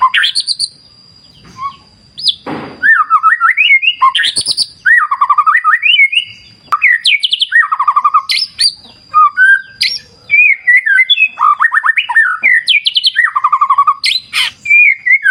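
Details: Extended white-rumped shama singing in a wild clear-river ambience: bursts of varied phrases separated by short pauses, mixing loud swooping whistles, rapid trills and sharp high notes, with a thin constant high tone and occasional clicks.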